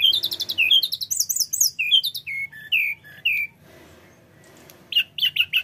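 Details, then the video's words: Flycatcher known locally as tledekan gunung, singing a rolling song full of imitations for luring birds: a fast cascade of high twittering notes falling into slurred whistles, a pause, then a quick burst of chips. "Suara tledekan gunung gacor ngerol bongkar isian"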